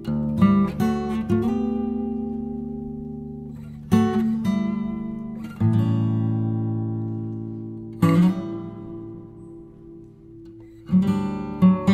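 Strummed acoustic guitar chords ring out and fade, with no animal sound heard.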